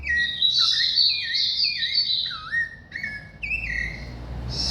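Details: Thrush singing in Brazil: clear, fluting whistled phrases, each a short slurred note that dips or rises, given one after another with brief pauses, over a low background hum.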